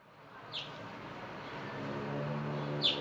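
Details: Adult male house finch in Elkridge, Maryland, on 9 April 2024, giving two short, sharp chirps about two seconds apart over a steady low rumble of traffic.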